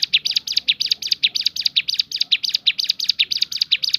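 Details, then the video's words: Bar-winged prinia, 'tembakan' song variation: loud, scratchy, down-slurred buzzy notes repeated about four times a second in an energetic, unbroken sequence. "ciblek gunung bunyi fariasi tembakan"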